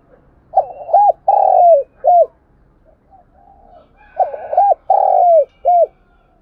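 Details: Spotted dove kept as a decoy bird to stir other doves into singing, giving two full cooing phrases: quick hooked notes, a long falling drawn coo and a short final note, separated by a pause.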